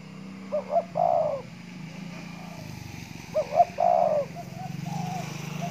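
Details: Spotted dove, a caged decoy bird set out in the morning sun to keep fit, in Kepulauan Riau, Indonesia; low hollow coos in two short bursts, each a quick double note then a longer rolling coo, with a low hum underneath.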